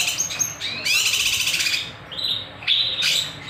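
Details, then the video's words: Kinoy singing sharply for use as a lure and master recording: short rising chirps, then a rolling high trill, followed by a few clear whistled notes. "Masteran / Pancingan Burung Kinoy Gacor, Nembak, Beset Tajam"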